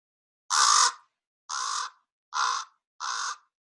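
Four hoarse, throaty croaks from a Common Raven, each under half a second, spaced about a second apart; nothing else is heard.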